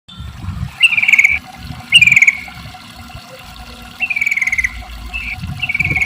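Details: Sooty-headed bulbul in the long-trill 'ropel panjang' style, used to prompt other bulbuls to sing: short whistled phrases, each a bright note sliding down into a buzzy trill, spaced a second or two apart over a low rumble.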